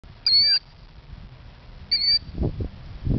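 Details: A killdeer in a parking lot after dark in 2009, feigning injury to lure people from its nest, gives two shrill, high, slightly drawn-out 'deee' notes about 1.5 seconds apart, over low outdoor rumble and a few thumps.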